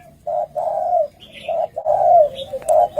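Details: Wild spotted dove giving a fighting challenge between males: low mellow cooing notes in a broken rhythm, several short coos and a longer drawn-out one, with faint higher chirps from another bird.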